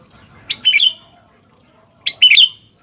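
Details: Sooty-headed bulbul singing briskly: two short, loud bubbling phrases about a second and a half apart, each a quick burst of liquid, chattering whistled notes, with a quiet background.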